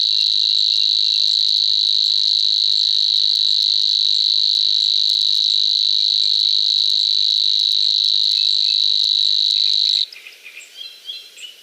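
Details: Savi's warbler (Locustella luscinioides), song.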